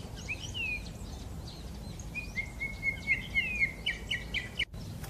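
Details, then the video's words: Common blackbird singing mellow, fluty whistled phrases that slide downward, ending in a quick run of higher twittering notes over a low background hum. ""대륙검은지빠귀" 노래소리 - Turdus merula song"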